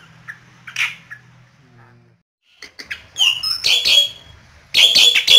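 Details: Asian pied starling teased by hand, Yogyakarta songbird circle: scattered soft chirps at first, then loud harsh squawking bursts with whistled overtones building toward the end.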